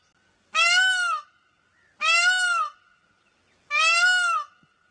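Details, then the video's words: Peafowl calling: three loud, nasal, wailing cries, each about two-thirds of a second long and rich in harmonics, repeated roughly every one and a half seconds against a quiet background. "peacock calls & peacock saunds मोरनी और मोर की आवाज"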